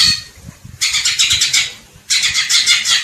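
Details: ['Greater green leafbird giving two harsh, scratchy chattering bursts of about a second each, with faint low rumbling beneath.']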